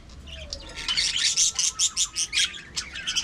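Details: Budgerigars in an aviary colony, said to be talking: a quick run of bright, clipped chirps repeated about two or three times a second over soft background warbling from other birds.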